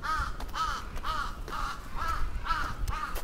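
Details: Attacking crow in Atsubetsu Ward, Sapporo, 27 June 2017: hoarse, harsh caws repeated about every half second, over steady low rumbling background noise.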